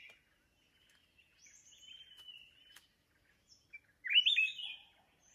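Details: Red-whiskered bulbul, mountain form, caught up in decoy trapping: a soft thin drawn-out whistle, a couple of clicks, then a loud rising, rolling warble near the end.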